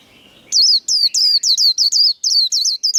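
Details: White-eye singing líu contest song, fired up to compete. After a soft murmur, about eleven high, clear whistles ring out in a brisk, evenly spaced series, each bending downward at its end.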